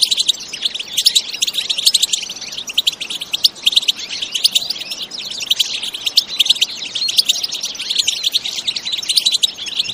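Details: Energetic bitbita song of a European goldfinch, natural with no effects added: dense, rapid, bright twittering of clipped chirps and jangling trills running without a break for the full stretch.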